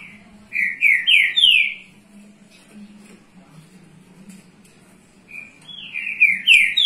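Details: A Green-winged Saltator in Rio de Janeiro, warming up young birds, sings two bursts of rich, slurred whistles, each a quick run of three notes climbing in pitch; a soft low hum sits underneath.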